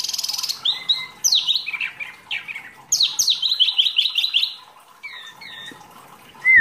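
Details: Masteran training song of a gacor wambi mini, a rarely kept songbird: fast chattering runs of high chirps and descending slurred notes, a quiet gap, then a few clear whistled phrases.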